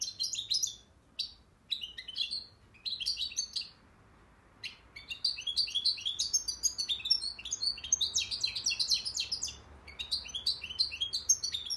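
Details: A European goldfinch from Akhisar, Turkey, sings in quick bursts of bright, liquid twittering and tinkling notes, broken by short pauses, then a longer rapid run.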